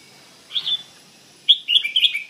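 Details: Red-whiskered bulbul with a bell-like voice: one short high chirp, a pause, then a quick run of bright, clipped twittering notes.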